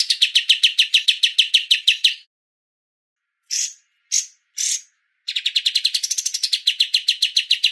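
Streak-eared bulbul giving fast runs of bright, chattering chirps, about eight per second, broken by a pause and three separate notes before the chatter resumes.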